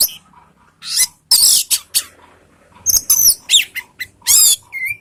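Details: Orange-headed thrush, used to make other thrushes sing back: a lively, varied run of high, scratchy chirps, slurred whistles and twittering bursts, with a clear whistled note at the end.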